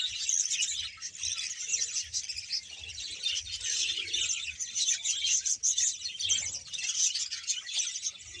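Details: Busy twittering of a Bahawalpur budgerigar colony of about 100 pairs, many high chirps and short whistled notes layered into a constant chorus with slight swells in loudness.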